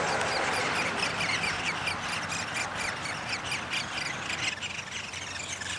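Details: Downy woodpecker at its nest during feeding, recorded 20 May 2021: rapid, harsh, buzzy bursts repeated about twice a second over steady broadband background hiss and low hum.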